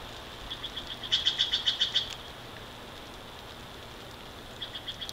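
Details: Bald eagle at the Big Bear Valley nest, 29 March 2023 at 09:40, gives a quick run of high, clipped piping notes, about seven a second, a louder burst mid-clip and softer runs before and after, over faint steady hum.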